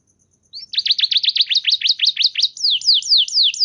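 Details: Canary song used to prompt other canaries to sing: after brief silence, a fast run of bright descending slurred notes, about eight per second, shifting to longer high sweeping phrases.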